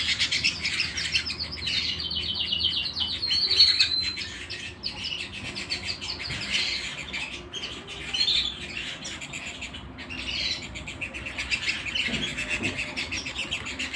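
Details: Home canary song: long, rolling high trills and warbles that continue almost without a break, some phrases held as steady buzzy rattles, then softer twittering, over a quiet room hum.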